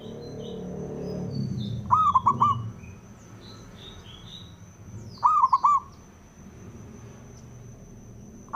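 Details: Male perkutut, or zebra dove, singing to goad other doves into song: two rolling three-note coo phrases about three seconds apart, with high chirps and twitters of other birds, a low rumble early on and a faint constant whine.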